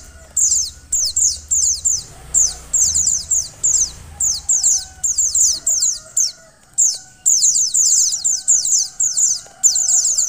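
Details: Female mountain white-eye calling to get the male singing: ten seconds of repeated bursts of rapid, thin, high-pitched falling chirps with short pauses, plus faint low rumble and tonal whines.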